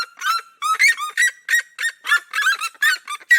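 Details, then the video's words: Duet of red-legged seriemas from the cerrado, loud harsh yelps stacked with rich harmonics, tumbling in quick overlapping bursts about three per second. "CHAMADO E CANTO EM DUETO DA SERIEMA"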